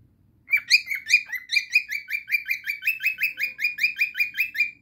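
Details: Singing cockatiel giving a long, regular train of short, upward-sweeping chirps, close to three a second. The faint, low hum of a room lies underneath.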